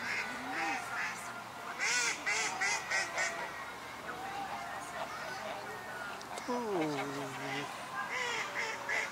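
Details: Geese by a pond at Chevreuse, September 2018. Nasal honks repeat irregularly, with one long, drawn-out, falling honk near the end, over faint background voices.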